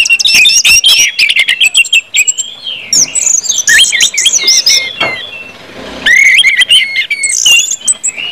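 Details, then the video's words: Orange-headed thrush singing ngeplong, used to get other birds singing quickly: dense run of bright whistles, buzzy trills and sharp downslurred notes, with a brief quiet gap near six seconds before the flow resumes. "KUMPULAN ANIS MERAH NGEPLONG BIKIN CEPAT BUNYI DAN GACOR ANIS MERAH"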